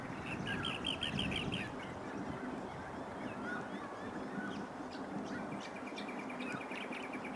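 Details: Rainbow bee-eaters at Byron Bay, New South Wales, Australia, in August, gathering and feeding on bees ahead of mating and nesting; bursts of rolling, trilled chirps, loudest at the start and again near the end, over a low rumble.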